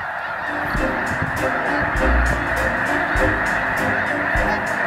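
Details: Snow geese, a flock heading north in spring after a sudden warm spell, landing on and venturing onto ice with limited landing zones; dense overlapping honking calls from many birds at once, with a steady background roar throughout.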